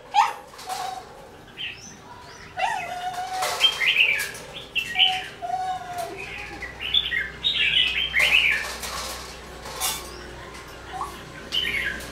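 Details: Wild-caught red-whiskered bulbul, caged for twelve days, singing at a decoy bird: short, bright warbled phrases in quick bursts, some rising and falling, separated by brief pauses, with sharp clicks and knocks throughout.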